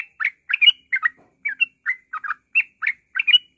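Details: Short burst of yellow-vented bulbul ngropel song, played to trigger other birds to sing: quick warbling chatter of short rising and falling notes with brief gaps, in an otherwise quiet setting.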